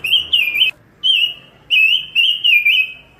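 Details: Pancawarna bird recorded as a tutor track, singing busily: drawn-out whistled notes near the same pitch, slightly wavering, in four bursts with short pauses between them.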